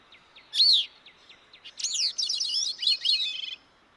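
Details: A Newfoundland Gray-cheeked Thrush sings a high, squeaky, ethereal phrase: soft opening notes, a sharp rising note, then a run of thin, buzzy, wavering notes slurring downward.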